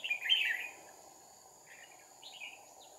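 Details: Red-whiskered bulbul fighting song, trapping with two decoy birds on 2 April 2019: a loud rich warbled burst first, then two fainter echoing phrases, all over a steady insect hum and high whine.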